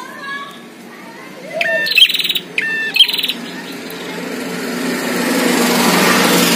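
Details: Prinia song, a caged bird versus a wild one, in two quick bursts of sharp, ringing, repeated chirps about a second apart, over steady background hiss.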